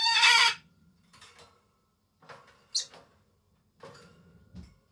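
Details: A pet Solomons cockatoo calling for its owner out of affection, giving a short loud harsh screech followed by quieter scattered squawks and a knock.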